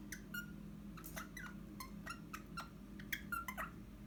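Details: Eastern rosella kept as a pet, recorded indoors on 29 January 2021, chattering a busy run of short whistled notes, some falling, some rising, plus sharp ticks, above a low electrical hum.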